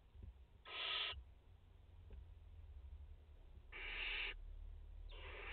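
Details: At a French barn owl nest holding a mother and four chicks, 30 August 2021, two quiet rasping hisses sound about three seconds apart, a third beginning at the end, over a steady low hum.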